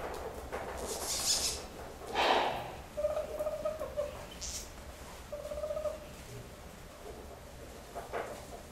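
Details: A captive Tropical (Spix's) screech owl born in 2006 at a Kobe bird park, newly mature, courts a handler's glove with low, soft purring trills in two drawn-out bursts, amid close rustling and handling noise.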